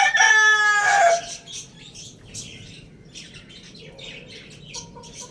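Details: Crowing rooster, a Lohmann Brown, among caged birds at Lalukhet bird market; a loud harmonic crow fills the opening second, then fades to scattered faint chirps and twitters of smaller birds.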